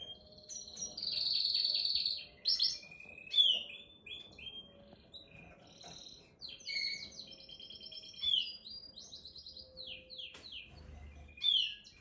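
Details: Canary song made of varied phrases: a short rapid trill, then sweet whistled notes, slurred downward glides and chattering bursts separated by brief pauses, with faint low background rumble.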